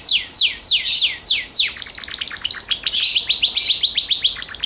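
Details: Gloster canary sings four strong descending swept notes, then breaks into a rapid, slightly buzzy, high trill that continues without pause.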